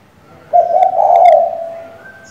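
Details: Hen spotted dove calling the male to provoke a decoy: a single sustained, low, husky coo of about a second and a half that fades gently at the end.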